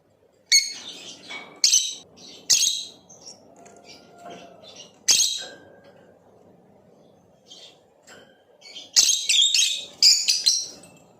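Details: Blue opaline lovebird chirping; sharp shrill chirps and squeaky bursts in irregular clusters separated by quieter gaps, with a low steady background hum.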